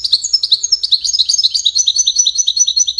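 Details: Wedani European goldfinch in continuous, fast, high-pitched twittering song, liquid chirps tumbling about eight per second with a slight buzzy edge, over a quiet low background hum.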